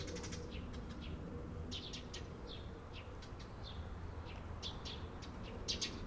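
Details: Short bright chirps from Eurasian tree sparrows, recorded 28 April 2022, coming in loose groups of two or three notes with a continuous low hum beneath.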